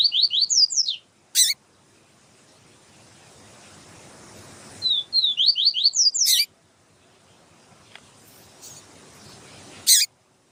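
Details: Double-collared seedeater, with a female calling to stimulate the male: two bursts of rapid, slurred, descending high whistles, each followed by a sharp broadband click, separated by quiet hiss.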